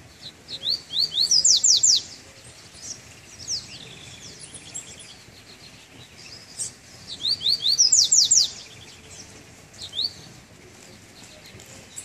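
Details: Two Treme Terra phrases from a double-collared seedeater coming out of moult on a cold first outing, each a rapid run of high rising and falling sweeps, separated by softer scattered chips and a short pause.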